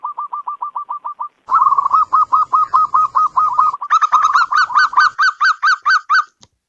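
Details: Zebra dove cooing: an even series of soft clipped notes, then a louder, faster rhythmic run that grows bright and ringing in its closing section.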